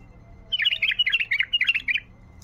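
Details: Wild bulbul; a loud run of rapid chirping notes in three quick bursts over about a second and a half, bright and warbling, above a faint low hum.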